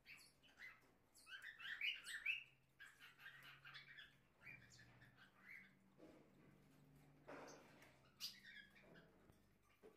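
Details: Captive Ultramarine grosbeak (Cyanoloxia brissonii) pair tending nestlings at a breeder in Minas Gerais, Brazil, as a chick leaves the nest; thin, high squeaky chirps in loose bursts, busiest early, over a low steady hum and faint rustling.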